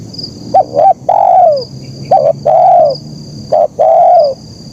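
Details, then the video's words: Spotted dove singing in the 'kuk 1' style: three cooing phrases, each a quick double note followed by a long, drawn-out, falling coo, spaced about a second and a half apart. A thin, steady high whine runs underneath. "Suara Burung Kicau Terkukur Gacor KUK 1"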